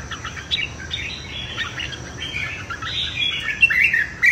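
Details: Red-whiskered bulbul singing in a morning competitive session to train its voice and rouse wild-caught birds: a soft, continuous, chattering warble of overlapping whistled notes that grows louder at the end.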